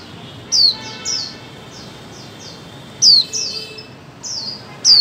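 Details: Female white-eye calling so mute birds will start singing: loud, high chirps that slide downward, mixed with softer repeated slurred notes, in bursts about every two seconds.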